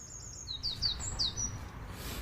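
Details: A Eurasian wren in a tree on Via Borghese in a park in Rome, Italy, sings loudly at passers-by: a burst of very high, rapid notes, then several quick downslurred whistles, over a low hum.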